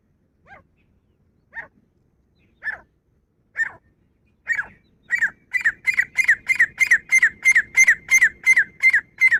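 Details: Female grey francolin calling: a few isolated sharp notes a second apart, swelling in loudness and accelerating into a fast, rhythmic run of harsh, repeated notes, roughly three per second.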